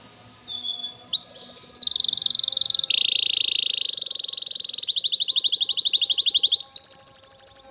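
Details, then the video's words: Excited male canary in its cage, singing to stimulate a female for mating, pours out several seconds of continuous rapid trills, each section pitched a little differently, closing on a higher roll. "تغريد ذكر كناري هائج يريد تكسير القفص يحفز الأنثي لتزاوج"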